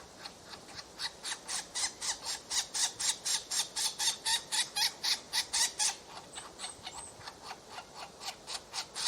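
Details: Woodpecker babies at the nest during feeding, giving rapid rasping hissy calls in a regular series about four per second, swelling and fading, with a few thin high squeaks near the end.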